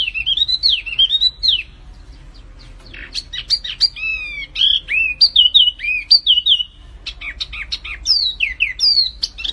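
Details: Flamboyan bird in full song, delivering a varied string of whistled slurs and sharp chirps in quick bursts separated by brief pauses, with a low steady hum behind.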